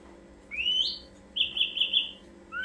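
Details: Ashy drongo song used as a lure for birds: a rising whistle sweeping upward, then a sustained warbled note with three or four pulses, and another whistle starting at the end.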